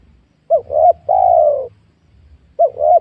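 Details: Spotted dove coo at close range, recorded while luring wild doves among young oil palms on newly cleared ground: a quick double hoot, a sustained slightly falling coo, then the double hoot again.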